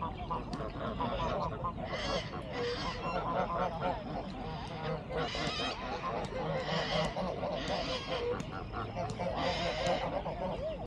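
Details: Pond geese protesting a black swan intruding on their territory: repeated nasal honks rise in clusters above a constant background of rushing noise and splashing.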